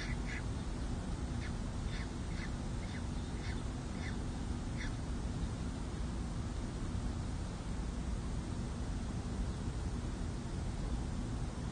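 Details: Peregrine falcon at a city hall nest ledge on 2 May 2024, as the male meets two newly hatched chicks at their first feeding: about seven short, harsh, clipped calls at roughly half-second intervals, over a low wind-like rumble.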